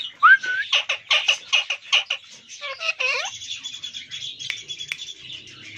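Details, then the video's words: Parrot talking: a rapid string of harsh, squawky syllables with a short whistled upslide at the start and a rising slurred note midway, followed by softer chattering. A person speaks briefly beforehand. "Parrots Talking Beautiful"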